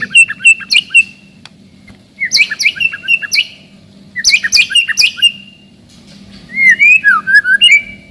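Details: White-rumped shama singing to agitate rivals and test young birds: rapid chattering bursts of sharp notes repeated three times, then a sweeping whistled phrase with falling notes, over a low hum.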